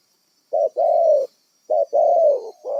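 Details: Spotted dove, a wild bird used as a trapping decoy, giving two coo phrases, each a brief note followed by a drawn-out, gently descending coo, with a constant thin high-pitched hum behind.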